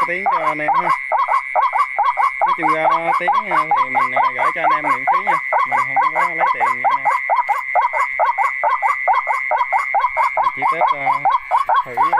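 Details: Test playback of white-breasted waterhen calling, a fast, regular series of nasal kook notes interspersed with lower, buzzy croaking phrases, accompanied throughout by a constant high-pitched electronic tone.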